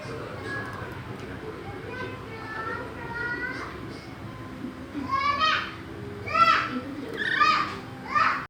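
Harsh, screechy parrot calls about once a second, growing louder in the second half, after softer voice-like chatter.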